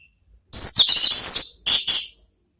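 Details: Orange-headed thrush therapy song used to lure a thrush into answering, a loud burst of rapid, harsh buzzy notes with bright high overtones, then a short break and two more sharp buzzy bursts.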